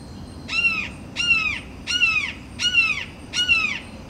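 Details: Territorial calling of a perched red-shouldered hawk facing rival hawks: five loud, piercing, downward-sliding cries delivered at an even pace, about 82 per minute, separated by short pauses, with low background noise.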